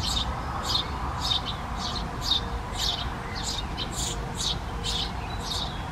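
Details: Eurasian Tree Sparrow nestlings give high, scratchy chirps in quick bursts, about two each second, over a steady low rumble.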